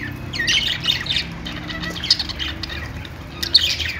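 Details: Budgie song as a busy stream of high chirps and grating squawks in irregular clusters, several birds seemingly overlapping, over a low background hum.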